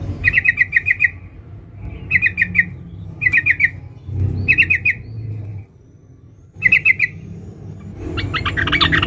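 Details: Female sooty-headed bulbul calling to a male with tight ngeriwik trills: short, rapid, buzzy bursts repeated about every second, separated by quiet gaps, then a looser jumble of notes at the end over a low rumbling background.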